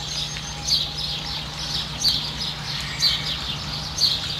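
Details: Variable oystercatcher with a chick in New Zealand giving four short, high, sharp piping notes about one per second, over a low steady rumble of wind or surf.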